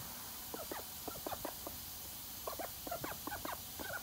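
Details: Morning bath time for a call duck just let outdoors: clusters of brief squeaky quacks in quick bursts separated by short pauses, set against steady low background noise.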